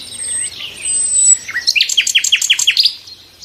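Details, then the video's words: High thin whistles lead into a steady run of about ten sharp descending chipped notes, a lively nightingale phrase that fades at the end. "the sound of nightingales"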